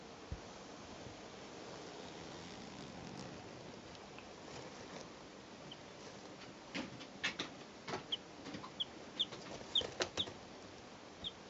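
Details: Three two-day-old chicks recorded in 2012: after quiet tapping and scratching, short high thin peeps come in a loose run of about eight over the last four seconds, mixed with soft pecking taps.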